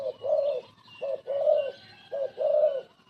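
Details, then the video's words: Cooing of a spotted dove kept as a veteran trapping decoy: three rounds of a brief lead-in coo followed by a drawn-out, slightly quavering coo, evenly paced and mellow. "pikat lama, pikat burung terkukur terbaik"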